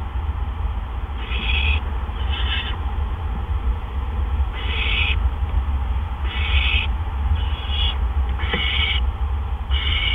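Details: Nest of barn owls, evening of April 17, 2013, with two adults bringing gophers in quick succession; series of rough hissing screeches spaced irregularly, a faint click near the end, steady low electrical hum beneath.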